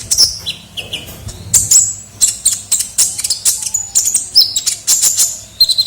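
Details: Vigorous kolibri ninja sunbird for luring: dense rapid chips and piercing high whistles, building into a fast chattering series toward the end.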